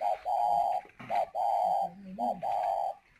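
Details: Caged decoy dove from Ba Vì, Hanoi, Vietnam, calling: steady mid-pitched hooted coos, each held about half a second, with soft lower murmuring notes between them, indoors.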